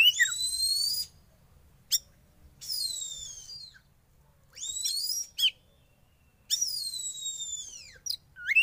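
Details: Young Oriental magpie-robin from the wild, caged during sauna therapy, giving long, loud, high whistles that glide downward, each about a second long and repeated in phrases, with short sharp notes between them.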